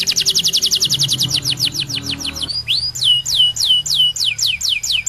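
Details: Canary singing loudly: a fast, even rattling trill of clipped high notes, then a series of bright whistled notes sliding steeply downward, each repeated about three times a second.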